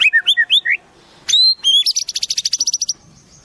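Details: White-rumped shama song with imitated wild-bird phrases: short looping whistles, two loud high pure notes, then a rapid dry rattle of evenly spaced clicks over about a second.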